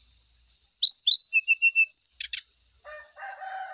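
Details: Lure song of the brown-chested jungle flycatcher for birds put out in the dew. Quick upward whistled slurs give way to level piping notes and a buzzy burst. Lower rooster-like crowing then takes over.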